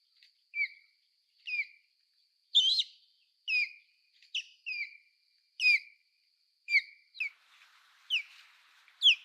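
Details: American osprey calling: a series of short whistled notes that slur sharply downward, given about once a second, some doubled, each clear and high against a quiet background.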